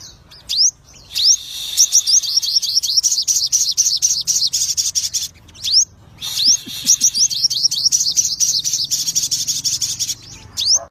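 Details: Lutino crested jay, a caged bird kept for song, giving a long fast stream of high, sharp chattering notes mixed with upward-flicked whistles. The song runs in two long bursts, with a low hum behind it.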